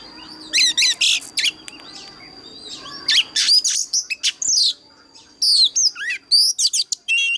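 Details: Oriental magpie-robin fighting song in old wild-forest style, played to train birds and stir them to sing. Stuttering high whistles and buzzy notes, a near-silent gap around the second second, then vigorous sweeping phrases resume.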